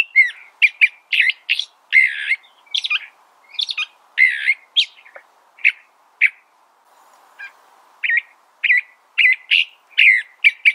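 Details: California thrasher with a long, energetic song of varied chirps, rasps and slurred whistles in quick succession, broken by one brief pause before continuing.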